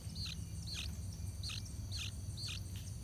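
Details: Yellow-vented bulbul young ready to leave the nest, still fed by the adults; evenly spaced sharp chirps roughly every half second, dipping at the end, with a steady shrill insect drone and low hum behind.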